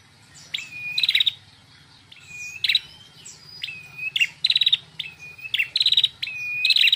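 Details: A female red-headed prinia sings steadily and loudly, each phrase a flat whistle leading into a fast, dense trill, repeated about six times, with soft high calls between.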